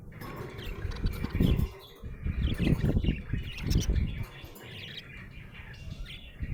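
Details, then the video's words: Budgerigar in a happy mood, giving quick, scratchy chirps and twitters that come in loose bursts. Heavy low-pitched knocks and rustling noises sit under the bird. "Happy budgie chirping sound"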